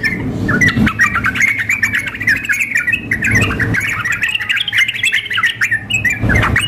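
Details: Sooty-headed bulbul recording mixing a female calling a male with a frenzied singing male, made to simulate a contest; dense, bubbly, chattering phrases run almost nonstop, overlapping, with occasional low thumps and clicks.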